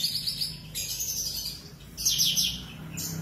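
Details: Sooty-headed bulbul, tame and singing vigorously, kept as training audio for magpie robins: two bright, high, rapid chattering bursts separated by a quieter gap, with a low background hum.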